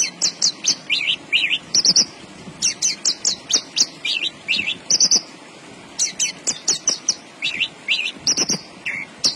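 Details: Javan bush lark (branjangan) in full, vigorous song: rapid continuous run of high chirps, slurred whistles and trills, barely pausing, with brief gaps before resuming, over low steady hum.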